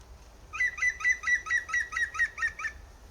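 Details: European green woodpecker (Picus viridis) giving its loud, laughter-like yaffle: about ten ringing 'kyu' notes, four or five a second, dropping slightly in pitch, over a faint low rumble.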